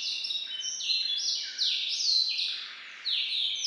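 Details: Captive hybrid with a white-rumped seedeater as sire, in song variant IV: dense, bright trills and buzzy rolls at high pitch, changing level roughly twice a second, with brief downward slides between phrases.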